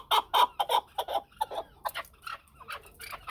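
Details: A brief burst of loud, gruff clucks from a chukar partridge, fading into softer, scattered notes.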